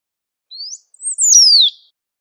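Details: Great pampa finch, known locally as sabiá-do-banhado, calling and singing in nature. One phrase: a gentle rising whistle, a faint tick, then a loud clear note gliding sharply down. The recording is clean, with a silent background.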